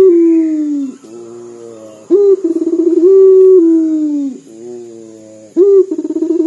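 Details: Puter dove, a local bird that calls often, with a voice said to sound like weeping. Long, drawn-out, falling coos alternate with quick throbbing rolls and quieter low tones. A thin constant high hum sits behind.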